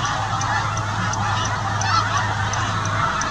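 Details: Snow goose flock on autumn migration south with this year's young, at evening near the town of Winchester; steady overlapping honks from many birds form a constant chatter over a low, even background hum.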